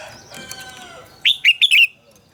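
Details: Red-whiskered bulbul being trained to sing: after a faint murmur, one short burst of four bright, warbled notes sweeping down and around mid-pitch, close and clear.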